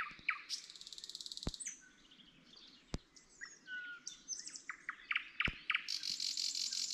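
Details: At night in Gaujiena park, Latvia, a nightingale sings a varied run of rattles, clear whistles and abrupt chirps, ending in a dense buzzy trill; the sound comes from near a walking path.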